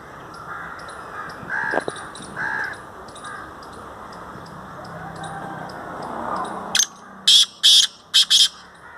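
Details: In Sindh, Pakistan, a black francolin delivers a rapid series of four or five loud, harsh, grating notes near the end, after several seconds of hissing background noise and faint distant calls.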